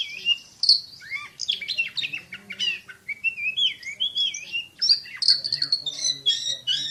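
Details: Oriental magpie-robin, a champion kacer bird, in a lively varied song of rapid warbled phrases, sweeping whistles and dense high trills.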